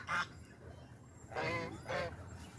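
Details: Swan at Bangladesh Nature Study Park, Ghorashal, Narsingdi, one of six at a park pond, giving three harsh, nasal honks, one short then two longer about half a second apart, over a low outdoor murmur.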